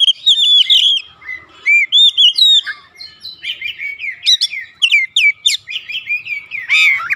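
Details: Oriental magpie-robin in loud 'ngeplong gacor' song, used to provoke a reply from magpie-robins kept at home: rapid run of clear whistled notes, sharp up-and-down sweeps and trills in nearly continuous phrases, with short pauses near two and three seconds.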